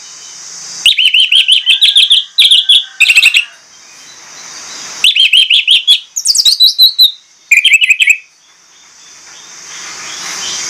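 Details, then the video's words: Loud, persistent lure song of an Orange-headed thrush with mimicked fill: long rattling runs of rapid, evenly repeated notes, then a few high, slurred phrases. Quiet gaps come between the bursts. "PANCINGAN ANIS MERAH PLONG NGOTOT BONGKAR ISIAN"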